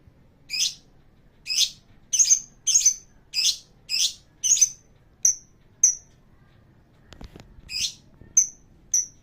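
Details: Lovebird song used as a lure to get other birds singing: a regular series of short, sharp high chips and clipped whistles roughly every half second, with a brief soft knock midway.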